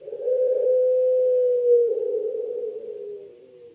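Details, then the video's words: Caged Barbary dove, kept for its clear, melodious voice, giving a long, low, steady coo that is held for about two seconds, then turns into a rolling, slightly falling purr. The room is quiet. "BURUNG PUTER SUARA JERNIH DAN SYAHDU"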